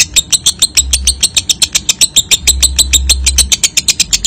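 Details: Lovebird ngekek trill used as a lure so young, newly weaned lovebirds will trill often with tight pauses: a rapid, dry, chattering run of sharp notes, about seven per second, steady for the whole stretch over a low background hum.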